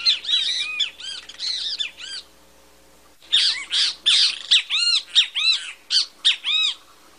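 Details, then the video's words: Singing great kiskadee, or bem-te-vi as Brazilians call it, pouring out rapid strings of harsh, buzzy, arched harmonic notes in two bursts separated by a one-second pause. "Great Kiskadee Bird Singing (Bem te vi)"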